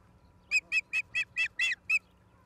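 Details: Osprey calling at a nest in Charlo, Montana, on 17 August 2023 at 16:04, recorded by a live camera: seven loud, shrill, clipped notes spaced evenly across one and a half seconds over quiet background hum.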